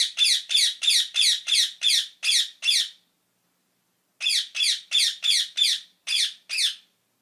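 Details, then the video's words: Parrot giving a series of harsh, raspy squawks, about three per second for three seconds, then a pause of over a second before another run of similar squawks. "صوت الببغاء" _ Sound of parrot"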